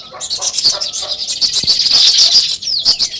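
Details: Rapid pulsing chirps from a flock of sparrows, also named as weaver birds, in a loud rhythmic chatter with one clear descending whistled note near the end.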